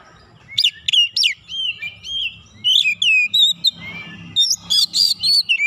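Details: White-rumped shama singing while provoked by a rival, a rich high whistled song mixing rising and falling slurs, rapid sharp chips and buzzy bursts, phrases tumbling quickly over a quiet low rumble.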